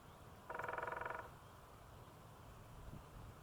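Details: In the morning a northern flicker perched on a broken tree announces his presence with one short, fast, rattling burst of harsh nasal notes lasting under a second, over a steady low rumble.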